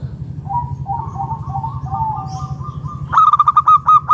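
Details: Local zebra dove whose call is used to lure other doves into calling; soft low rising coos drift through the first three seconds, then a loud rapid burst of clipped cooing notes rings out, over a steady low hum.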